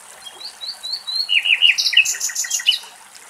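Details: A common nightingale sings in Axios Delta National Park, Thessaloniki, Greece: a few rising high whistles, then loud, sweet chirps breaking into buzzy, rattling trills, with faint trickling water behind.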